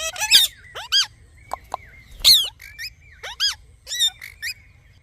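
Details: Rose-ringed parakeet, said to be talking, makes sparse, sharp squeaky notes that rise and fall, plus a few short chattery squawks at irregular intervals.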